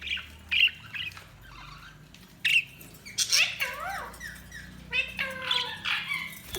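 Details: Chattering budgies give squawky chirps and warbling, wavering notes, some sliding down then up, in scattered bursts separated by short quiet gaps.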